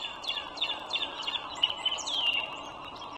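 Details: High-pitched staccato chirps from a wild bald eagle at its nest beside the Dulles Greenway, Virginia, March 2023, morning, accelerating into a rapid falling chatter over steady hum.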